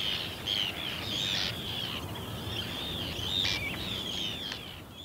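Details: Ringed plover (Charadrius hiaticula) calling at the Ythan Estuary, giving soft, fluty whistles, rising and falling in near-continuous overlapping runs, with a few sharper clicks and a light hiss of wind behind.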